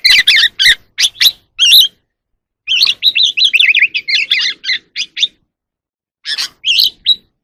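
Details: Oriental magpie-robin singing in the evening as it dances: scratchy clusters of chirps, then a fast twittering run of wavering, buzzy notes, and a few final chirped phrases after a pause.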